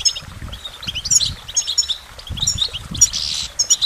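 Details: Goldfinch song made of quick liquid twitters and short clear whistles in brief phrases, with a low rumbling background.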